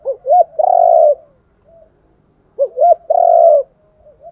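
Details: Decoy spotted dove cooing to spur trained captive birds to coo: two short rising notes lead into a long, even coo, and the phrase repeats after about two seconds.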